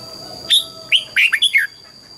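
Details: Red-whiskered bulbul, morning song in training for the wild-style double-note voice: a sharp rising note followed by a quick cluster of four sliding, liquid whistles, with a thin steady tone underneath.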